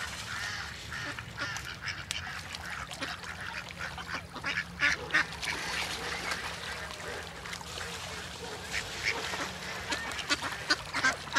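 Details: A flock of ducks swimming together on open water alongside great white pelicans, calling at once: a dense, unbroken chatter of overlapping nasal quacks and clicky notes throughout, with no single bird standing out.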